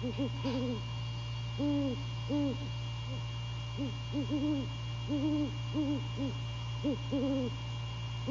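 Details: Before dawn on January 15, 2022, a male great horned owl visits his mate at The Landings, Skidaway. Deep, muffled hoots come in pairs and short clusters all through the clip, with a faint steady background hum.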